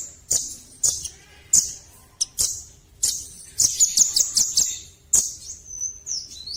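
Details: Velvet-fronted nuthatch (rambatan paruh merah) performing: very high, sharp, irregular chips and clicks, then a quick high twittering run and a thin wavering whistle at the end.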